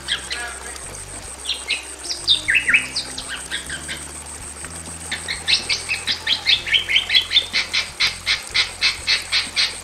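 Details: Male and female Bali mynas in a simple aviary cage: a few scattered whistles and slurs, then a long, fast, even series of short harsh notes with whistled phrases woven through.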